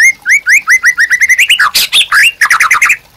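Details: Caged white-rumped shama singing hard, its song used to provoke and tutor other birds: a fast string of rising whistled notes climbing in pitch, breaking into harsh scratchy bursts and a final chattering run.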